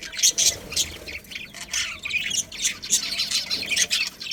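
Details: Budgies from a breeding colony giving dense, sharp, high squawks and chirps in rapid overlapping bursts, the chatter running continuously throughout.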